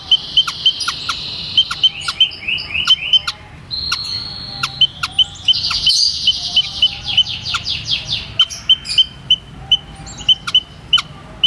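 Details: White-headed munia calling in a rapid run of sharp, high, thin notes, repeated roughly every half second, mixed with brief buzzy rattling trills partway through, over a quiet background.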